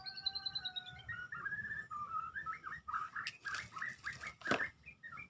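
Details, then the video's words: Medan white-rumped shama starting with long steady high whistles that slowly drop, followed by choppy mid-pitched warbled phrases and a few harsh clicks and rustles. "murai batu medan pasang Ranyuan"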